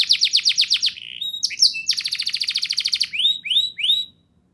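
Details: Singing canary used as a prompt for young birds to start singing, with a fast trill, a few sharp chips, a dense rattling roll, then three rising whistled notes before silence.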